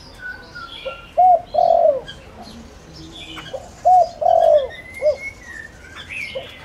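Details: Decoy spotted dove calling to lure wild doves: two mellow, hollow coo phrases about three seconds apart, each a short note, a long falling coo and a clipped ending, with thin high chirps of other birds in between.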